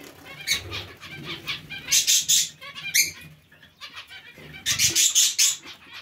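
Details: Zebra finches in a mixed finch colony produce loud, nasal, trumpeting calls in rapid bursts, some harsh and buzzy, with pauses between groups and soft low wing flaps beneath.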